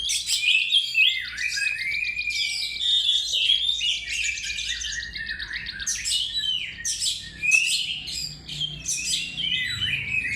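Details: Oriental magpie-robin, a prized bird kept as a lure bird, singing a rich, varied stream of whistled and chattering phrases, high and dense, with sharp upslurred notes and slurred trills throughout.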